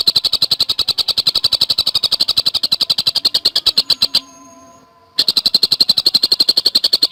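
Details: Javan cuckooshrike in dense 'gacor speed rapat' song: even, high, staccato notes repeated about four per second, a one-second gap with faint tonal hums, then the rapid notes resume.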